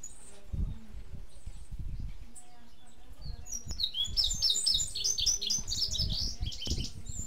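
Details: Indigo Bunting (Passerina cyanea) sings a bright, high series of quick paired notes in the second half, after low thumps and handling noise at the start.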